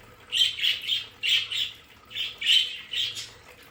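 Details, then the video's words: Pet budgerigars in a home play area give loud, high, scratchy squawks in quick pairs and triplets with short pauses between the groups, against a quiet background. "Sonidos de periquitos Australianos"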